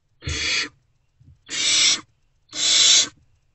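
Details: Owlets of the Great Horned Owl in box C, not yet fed, respond to a returning parent on 3 March 2024 near 5:31 am: three drawn-out, coarse hissing rasps about a second apart.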